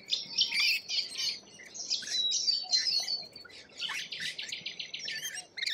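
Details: Lorikeets in Australia, a dense flock chorus of harsh, buzzy screeches in rapid overlapping bursts, about four per second, with thin high whistled streaks running through the noisy chatter.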